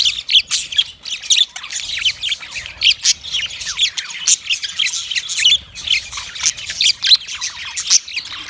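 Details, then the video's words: Male budgerigar, yellow, making mating sounds: loud, busy squawky chatter of quick chirps and clicks in bursts, with one short pause midway before the warbling resumes. "Yellow Male Budgie chirping sounds , Matting sound"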